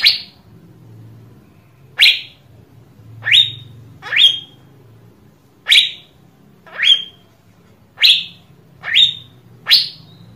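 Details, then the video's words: Asian fairy-bluebird, recorded for luring other birds to sing: a steady series of nine sharp, clear upslurred whistles, roughly one every second, some ending with a short level tail, against a low background hum. "PANCINGAN CUCAK BIRU AGAR GACOR"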